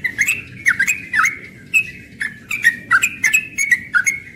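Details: Young yellow-vented bulbul singing rapidly in the morning, ropel style, with jaunty warbled chirps running almost without pause.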